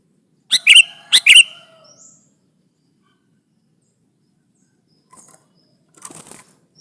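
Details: Sooty-headed bulbul pressing a rival in song, used as a trapping lure: two loud, harsh, clipped chattering bursts half a second apart, then quiet with faint distant chirps and a soft rustle near the end.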